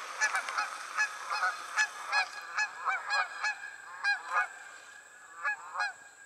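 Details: Geese in flight honk in a rapid, bright chorus, sharp nasal notes repeated several times a second, thinning to a few scattered calls toward the close.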